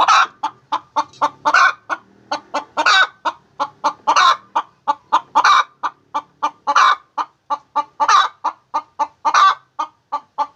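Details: Sustained cackle from a hen laying eggs: fast, evenly spaced clucks roughly three per second, every few beats a louder, rougher squawk; no other sounds.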